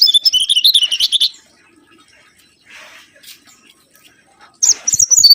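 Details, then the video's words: Mangrove whistler song played as a lure. A rapid series of high, slightly buzzy notes wavers downward, then pauses, and a second similar quick phrase begins. "PANCINGAN SUWARA💯‼️ BURUNG KANCILAN BAKAU"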